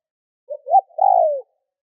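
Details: Lure spotted dove calling to draw in wild birds: a soft short note, a louder rising note, then a long sustained coo that slides downward at the end, with quiet surroundings.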